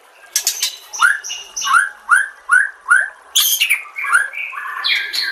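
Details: White-rumped shama master song for training other shamas, with nature sounds and trickling water; after a harsh opening burst, five clear rising whistled notes repeat about every 0.4 seconds, then higher varied warbling.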